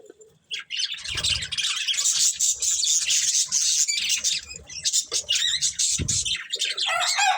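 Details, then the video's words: Breeding pair of budgerigars kept as a family, giving dense, continuous high scratchy chatter and warbling with rapid squeaky notes, a few short low thumps between phrases. "Cute Budgies Chirping Sounds"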